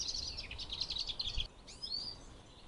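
A common chaffinch sings a bright, high trill of quick repeated notes running down the scale, then a brief flourish at the end. A low wind-like rumble sits underneath.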